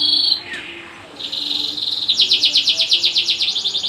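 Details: Canary singing loudly, a rapid series of high trilled notes that shift into a fast, evenly pulsed rattling trill repeated about three times a second.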